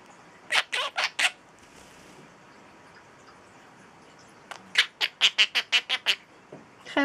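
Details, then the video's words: Pet talking bird shrieking like Pikachu and laughing repeatedly: a burst of four sharp loud shrieks, a pause, then a rapid run of about eight harsh shrieks, one more starting at the end. "Twilight talking bird is shrieking Pikachu and doing his evil laugh over and over!!"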